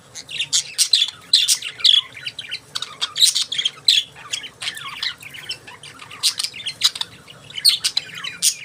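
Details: Budgies in lively chatter: fast repeated high chirps and buzzy squawks, rhythmic and almost unbroken from start to end.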